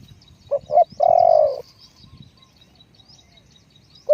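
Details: A spotted dove used for decoy luring gives one clear phrase of two brief notes and a long throaty croo, followed by quiet with distant high bird chirps and the start of another note.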